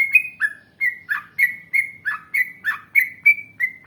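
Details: Yellow-vented bulbul giving gacor song of the long ngalas, long ropel type, used to coax replies. Regular bubbly double-noted whistles, each starting with a sharp note and sliding down, roughly three per second.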